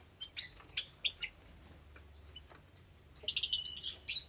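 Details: Java sparrows in a cage aviary where many chicks have recently hatched, on a Sunday morning, 8 May 2022. A scatter of short, high chirps early on, then a dense cluster of quick overlapping chips near the end.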